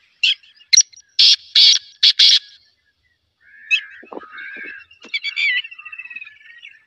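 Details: Loud, scratchy black francolin call: about six harsh, buzzy bursts in a quick, uneven rhythm. After a pause, softer warbling notes and a fast trill from other birds follow.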